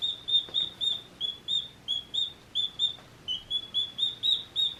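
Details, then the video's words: One-day-old baby chicks chirping: rapid, fairly even high peeps, nearly four per second, with slight pitch shifts and faint background hiss. "One Day Old Baby Chicks Chirping Sounds"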